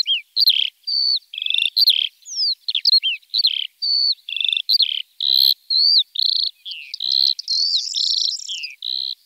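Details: A common starling sings a long varied medley of mimicked-sounding whistles, slurred squeaks, clicks and buzzy chattering phrases in quick succession, each burst about half a second long, clear and close.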